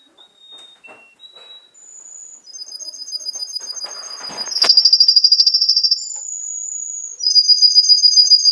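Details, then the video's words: Young canary, seven months old, recorded in Garni, Armenia, on 2 October 2014, sings high pure whistles and steady level notes, then rapid trills of fast repeated pulses, with faint rustling in the background. "Кенар птенец 7мес."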